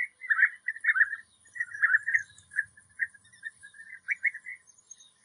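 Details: European bee-eater calling with separate throaty, rolled 'prrp' notes, about two each second, growing softer and more spaced toward the end; a faint low rumble beneath.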